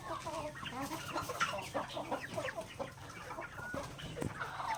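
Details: Backyard native chickens pecking grains at feeding time, a flock chorus of short overlapping clucks and chirps with brief higher squawks, steady low hum behind.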